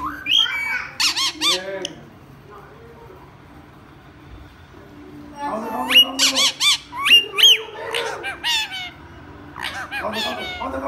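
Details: Rose-ringed parakeet talking and imitating human speech: two bursts of harsh, speech-like squawky syllables with rising and falling harmonics and some sharp high whistled notes, separated by a quiet gap with low background hum.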